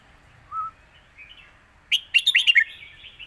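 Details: Red-whiskered bulbul singing the lak wai style master song: a soft whistled note, then a quick burst of five or six bright, warbled notes bouncing up and down.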